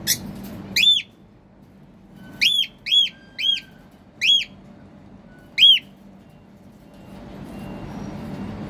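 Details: Hungry cockatiel calling: six loud, clear whistled notes, each sharply rising then falling, spaced irregularly over several seconds, with quiet background hum between calls.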